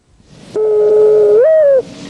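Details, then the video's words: Mourning dove call, noted as often mistaken for an owl: a single long, hollow hooting note held steady, then lifting in pitch near the end before sliding down and stopping abruptly; no other sounds. "23, often mistaken for an owl, this is the call of the mourning dove."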